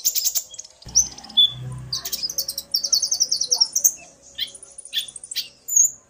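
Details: Common iora pair duetting, the male stirred into song by the female; dense high twittering notes, a few clear pure whistles, then a run of fast rhythmic chirps, with a faint low hum early on.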